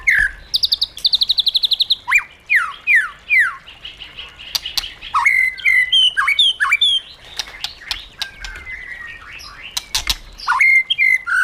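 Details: Caged white-rumped shama singing in giọng rừng, wild style: a fast high trill, a string of falling whistled slurs, then varied chips, sweeps and twitters interspersed with sharp clicking snaps.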